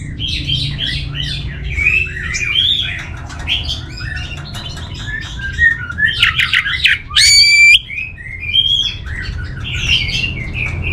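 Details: Orange-headed thrush, a kept songbird in northern Bali, pouring out a dense, varied song of chirps, trills and whistles, including a loud rapid buzzy burst midway, over low background hum.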